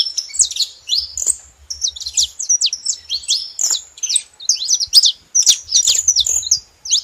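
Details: Saffron finches sounding off together: choppy high chirps in irregular clusters, some sharp and buzzy, about two or three a second, with faint low knocks underneath.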